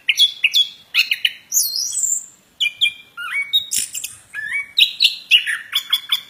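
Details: Plontang bird singing energetically, a rapid jumble of sharp chirps, high sweeping whistles and scratchy notes, with short bursts separated by brief gaps and a pause near the middle.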